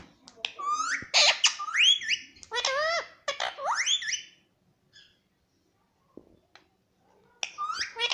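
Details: Pet Indian ringneck parakeet in a quiet room producing a varied string of rising whistles and chattering, voice-like notes in bursts, with a pause before more calls resume.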